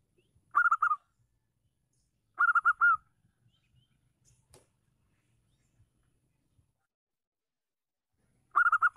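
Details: Loud-voiced female Zebra dove from the wild, kept to stir up males that will not sing, gives three brief trilled cooing bursts, the first two about two seconds apart, then a long silence with faint low rumbles.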